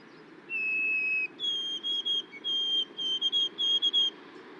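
White-throated Sparrow song: a long, pure whistled opening note, then a higher steady whistle broken into repeated triplets, the familiar 'oh sweet Canada Canada Canada' pattern, over faint low background hum.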